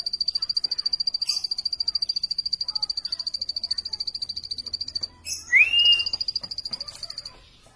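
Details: Plain prinia repeating high, thin pulsed notes at a steady clip, pausing briefly before a rising whistled slur, then continuing and fading out.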